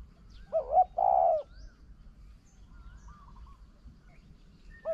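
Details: Spotted dove used as a decoy while trapping a wild bird: two short, deep, hollow coos and a longer drawn-out coo, followed by fainter, softer coos, over a steady low rumbling background.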